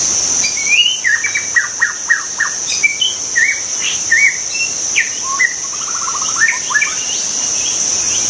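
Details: White-rumped shama in the wild delivering a rich, varied song of rising whistles, quick repeated chips and rattling trills, phrase after phrase, with a constant shrill insect hum in the background.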